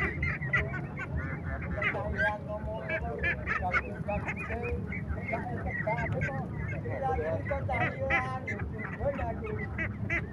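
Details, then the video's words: A crowd of ducks with ducklings calling continuously, short nasal quacks and thin peeps overlapping densely throughout, with steady low background noise underneath. "Little Ducks Sounds, Quacking Sound of Ducks"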